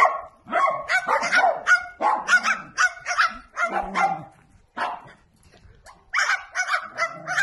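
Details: Bird barking like a small dog: rapid, uneven series of sharp, harsh yaps, roughly fifteen of them, with one brief pause before a final cluster.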